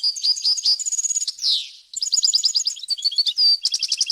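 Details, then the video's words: European goldfinch song recorded clean for teaching young birds and goldfinch hybrids to sing; rapid high twittering trills and tinkling notes, a drawn-out buzzy descending note midway, then more fast chattering phrases. "غناء طائر الحسون ، صوت صافي وخالي من الاخطاء لتسميع الفراخ"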